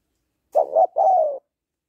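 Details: One close cooing phrase from a female spotted dove calling to excite a male: two short hollow notes followed by a longer, gently falling coo.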